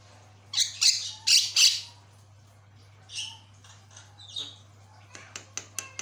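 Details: A Javan myna sings hard, reportedly prompting other mynas to respond: four loud harsh squawks in quick succession, softer rasps, then a string of sharp rapid clicks; low mechanical hum in the background.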